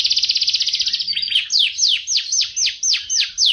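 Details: Canary song used to train other birds: a rapid buzzy trill gives way to slow, widely spaced downward swoops, each clear and loud.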